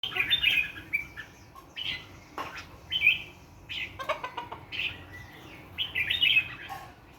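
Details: Wild bird singing in the morning, short bright chirped phrases and quick twittering notes given in bursts every second or so, with other faint bird calls in the background.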